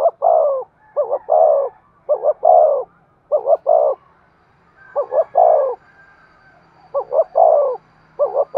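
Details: Spotted dove cooing as a decoy to lure wild birds: repeated phrases of two short hoarse notes followed by a longer drawn coo, given roughly every second or so, low and mellow, with a quiet background.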